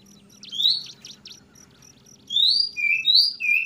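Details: Oriental magpie-robin (kacer) singing trotol ngeplong: rapid buzzy V-shaped notes, then a dense series of loud whistled slurs, some rising, some lower and falling, over a low hum.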